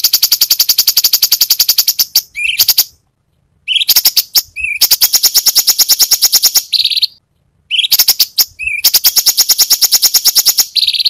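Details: Varied tembakan song of an actively singing cucak cungkok: three long bursts of rapid, harsh, rattling chatter, each closed by a short rising buzzy note, with pauses between.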